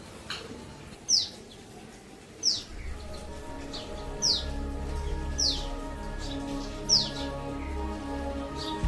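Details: Common tailorbird calling: sharp, loud, high notes that drop in pitch, repeated about every one to one and a half seconds, six times in all, with soft instrumental music starting partway through.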